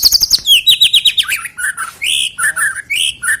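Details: White-rumped shama song used as a prompt to get birds singing before a songbird contest: rapid series of high chirps sliding down into varied whistled notes, then clear rising and falling whistles.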